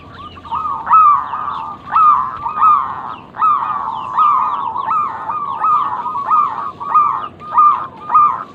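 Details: Local zebra dove cooing, used as a lure to stimulate other doves to sing: steady run of rising, mellow coo notes, each with a brief stutter, repeating roughly once a second without pause.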